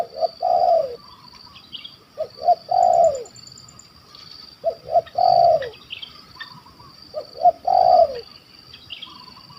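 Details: Wild Malaysian spotted dove with a big 'kuk 1 2' voice, sought by hunters. Four phrases about every two and a half seconds, each of two short hoots and then a longer, descending coo. A faint steady high hum runs behind.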